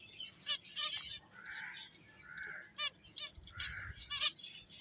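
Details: Finches playing, giving a busy mix of short, high chirps and trills with a few lower buzzy notes, several birds calling over one another in overlapping bursts.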